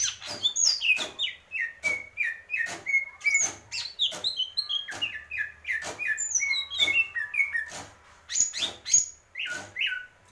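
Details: Greater green leafbird in continuous song of slurred whistles and high chattering twitters, punctuated by regular loud clicks.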